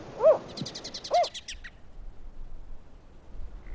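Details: Spotted Owl in Zion National Park giving two short, mid-pitched, arched hoots about a second apart, with a quick series of high chirps from another bird in between.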